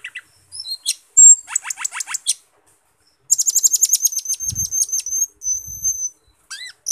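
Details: Asian glossy starling, a lure recording meant to set other birds singing: high, rapid varied song of sharp chirps, short rattled note series and a long thin whistled trill, with brief low thumps in the middle.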